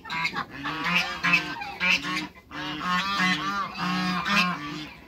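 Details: Loud, buzzy, nasal honks from hybrid Cayuga and mallard ducks, strung into quick runs with a brief pause midway, several voices overlapping.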